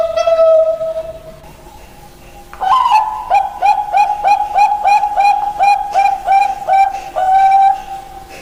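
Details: Common hill myna giving a long, held whistled note, then a short pause. A rapid run of short ringing notes with rising starts follows, ending in a longer sustained note.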